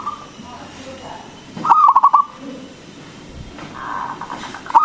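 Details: Local zebra dove (perkutut) singing loudly, used to stimulate other doves to call. A single rapid run of rolled, clipped coos stands out among softer, muffled background sounds.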